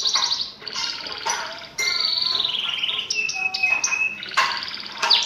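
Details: Canary singing gacor style to stimulate silent birds: choppy rolled bursts, a sustained smooth whistle sliding gently down, then short clipped notes and further bursts.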